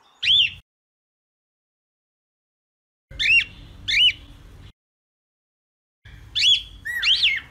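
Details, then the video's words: Cockatiel (calopsita) giving scattered squawky, bending chirps, one alone and then paired ones several seconds later, over bursts of low rumbling background noise. "Cantos De "Calopsita" MAIS BONITOS e MELHORES - Cockatiel Singing"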